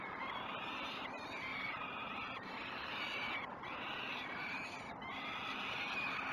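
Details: Peregrine falcon chicks at the Great Spirit Bluff nest, filmed by a live nest cam at 06:09 on 29 May 2018 during their first breakfast; harsh, harmonic screeching calls run almost without pause, broken by short gaps, over steady background hiss.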